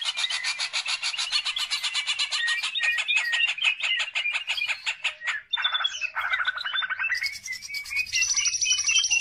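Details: Long rapid burst from a Greater green leafbird, gacor lure song for training other birds: dense pulsed chattering at a quick steady beat, then mixed whistles, buzzes and a high trill.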